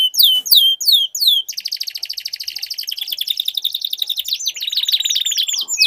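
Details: Canaries in a song duel, played to set a silent canary singing; a few loud sweeping whistles, then a long buzzy rolling trill, ending with more falling whistled phrases.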